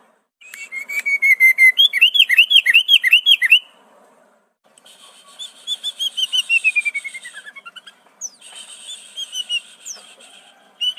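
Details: Sooty-headed bulbul delivering an imitation-rich song modelled on prenjak, cucak ijo, cucak rowo and murai. A fast, regular run of looping whistles rises in pitch, then a descending chattering series and scattered high sweeping notes follow.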